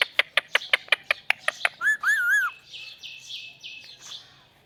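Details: Pet parrot pair vocalizing: a quick run of about ten sharp clicks, then two wavering harmonic notes, followed by softer buzzy chatter trailing off.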